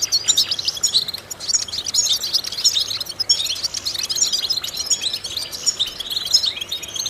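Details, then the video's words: Vocal exercise recording of a European goldfinch, a prolonged jangling warble of rapid high notes and buzzy rattles, rising and falling in intensity across seven seconds with light background noise. "important vocal exercises necessary to stimulate goldfinches"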